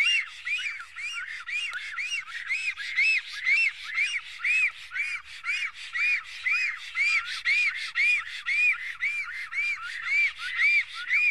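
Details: Black stork guarding its nest in Estonia, midday on 15 April 2018: a long, unbroken series of harsh, bowed whistle notes, about two per second for over ten seconds, rough-edged and evenly loud.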